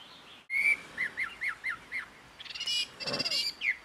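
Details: Jungle babbler in Karnataka, India, imitating other birds' calls: a sharp whistle followed by a string of five short, downslurred whistled notes, then buzzy, noisy bursts and a final clear note.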